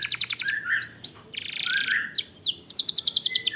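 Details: Canary lure song: fast high trills, curving whistled sweeps and a buzzy rolled phrase, delivered densely with rapid repetition.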